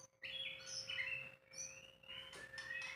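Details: White-rumped shama song, unedited: continuous sweet whistles and trills, long gliding notes rising gently, with sharp high chips layered in and a soft background hum.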